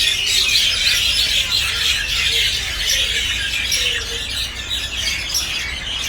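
A dense, noisy chorus of common mynas: overlapping harsh squawks, chatters and shrill whistles with no pause, all high-pitched.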